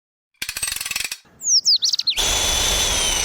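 Black drongo giving a burst of sharp, swooping whistled notes, preceded by a rapid rattling clatter and followed by a steady high hiss of background noise.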